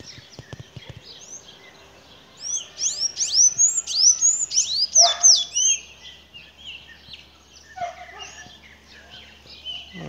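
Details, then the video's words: Blue-gray tanager (Thraupis episcopus), locally called azulão, singing at dawn near a fruiting seriguela tree in the Vale do Sambito: thin, squeaky, high notes sliding up and down quickly; soft taps and faint distant birds. "Canto do sanhaço ao amanhecer (Thraupis episcopus)"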